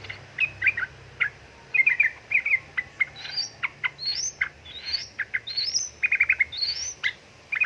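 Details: A female sooty-headed bulbul calls for a male with busy clusters of short chirps, mixed with rising thin whistles higher up, the notes coming several per second throughout.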